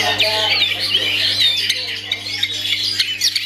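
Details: Privately owned long-tailed shrike singing a dense, rapid stream of high chattering and whistled notes, with quick sweeping slurs and scratchy squawks, over a steady low electrical hum.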